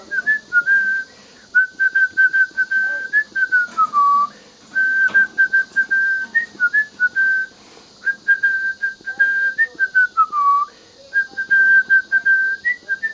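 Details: A male cinnamon pearl pied pet cockatiel, being taught the Mickey Mouse March by its owner's whistling, whistles a simple tune of clear, sustained notes with occasional falling slides.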